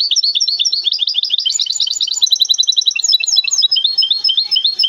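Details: Goldfinch hybrid from Temara, kept as a cage bird, singing a fast, unbroken twittering run of high, sharply rising and falling notes, with a short buzzy stretch midway and no other sounds.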